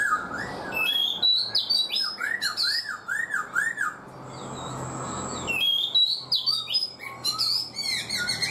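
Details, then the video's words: Caged black-throated laughingthrush, kept four months, singing a varied run of loud rising and falling whistles, slurred notes and harsh squawky phrases in quick succession, with a short pause midway, indoors. "Khướu bạc má 4 tháng lồng, người rài giọng cực hay"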